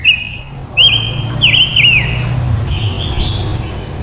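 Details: Female decoy silver-eared mesia singing to attract wild males: strong level whistles with fast dipping trills, then a softer rising whistle, over a steady low rumble.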